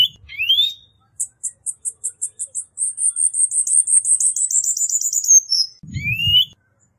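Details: A Cuban bullfinch sings: a rising slurred whistle, a string of evenly spaced high ticks accelerating into a long buzzy trill that slowly falls, then another rising whistle. A brief low rumble is heard near the end.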